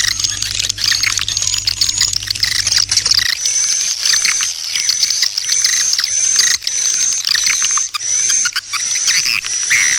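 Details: Lure call for swiftlets, 'Serangan Fajar' (dawn attack) style: thin, high whistled chirps repeated about every second over a busy twittering chorus, with a low hum fading out early.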